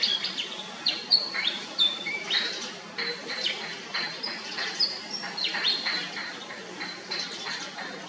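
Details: Pied fantail calling: a busy run of short, high, thin chirps and squeaky whistled notes, some rising and some falling, packed closely together with small gaps, over a faint background hiss.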